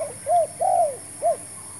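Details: Spotted dove, a newly brought decoy bird used to lure and trap wild doves; three soft coos, short, long and arching, then short, over a steady high electrical whine.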